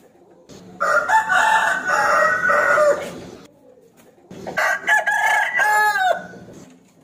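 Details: A rooster crows to challenge a rival to fight: two loud, rasping cock-a-doodle-doos of about two seconds each with drawn-out endings, separated by a brief quiet pause.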